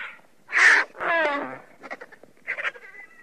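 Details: Griffon vulture (Gyps fulvus) uttering a harsh squawk, then a wavering, drawn-out squeal with stacked tones, followed by softer broken chatter and a final thin whine.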